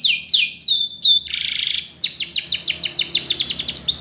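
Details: Spanish Timbrado canary, yellow, singing a training song: loud swooping slurred notes, a short rasping buzzy section, then a fast chain of clipped repeated notes that quickens toward the end.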